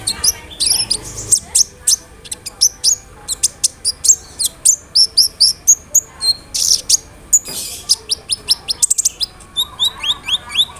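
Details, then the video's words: Sunbird song used as a lure to make other sunbirds respond: rapid streams of very high, sharp chirps and thin descending whistles, tightly packed notes repeating several times a second with brief rattling bursts, over a faint low hum. "SEMUA BURUNG KOLIBRI NINJA AKAN NYAUT DENGAN SUARA KONIN INI"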